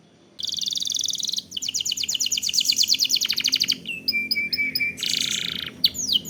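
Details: Canary song used as a lure for singing: a dense buzzy trill, a long rolling trill of fast repeated notes, flat whistled tones, then another harsh buzzy burst.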